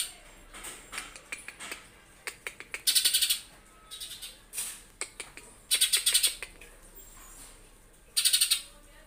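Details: Lesser green leafbird singing in competition, rough 'tembakan' style: scattered sharp high chips and clicks building into short, harsh, rapid, buzzy bursts repeated about four times, each lasting under a second.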